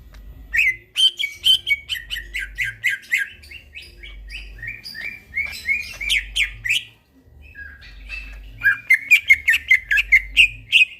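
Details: Greater green leafbird in lively, energetic song at midnight: fast runs of crisp chirped and whistled notes, about two per second, breaking into bursts and a brief pause before another rapid rattling series.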